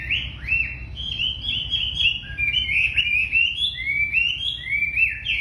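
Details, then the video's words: A very tame wambi in full song, pouring out quick whistled notes that slur up and down, packed closely into an unbroken cheerful chatter, over a faint low hum. "Wambi Gacor Super Jinak"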